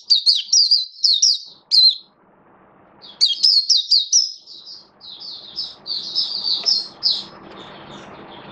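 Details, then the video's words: Buka sing display from a caged oriental white-eye: rapid high chirping phrase, a brief silence, then a longer twittering run of descending notes fading into low background noise. "Mata Puteh Buka Sing"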